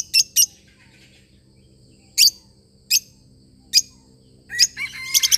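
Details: Lovebird parrot calling with shrill, high chirps, some in quick pairs, separated by pauses, ending in a busier run of harsh, scratchy notes.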